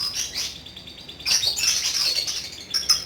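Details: Pet lovebird singing ngekek-style: sharp high chirps, then a sustained run of shrill, twittering chatter that ends in a few clipped squeaks.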